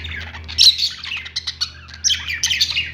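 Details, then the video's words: Caged lovebirds inside a pet store give rapid, scratchy chirps and squawks from several birds at once, rising in louder bursts around the start and again toward the end over a faint low hum. "love birds sounds | parakeet chirping sounds in pet store"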